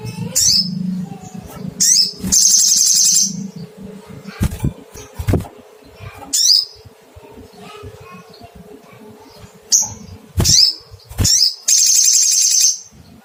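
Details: Repeated calling by a little spiderhunter searching for a rival: scattered sharp high chirps interspersed with two long, buzzy rattling trills, one near the start and one near the end, over low hum.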